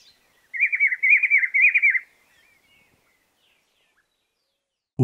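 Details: Rufous-browed Peppershrike (Cyclarhis gujanensis) song: one rich, rolling, mid-pitched rhythmic warbled phrase of about a second and a half, then silence ending in a soft thump.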